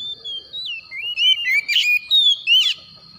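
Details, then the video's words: Oriental magpie-robin, called kacer, in the morning: smoothly sliding whistled phrases and a few harsher bursts, with a steady high-pitched tone running through the background. "PANGGILAN KACER PAGI HARI"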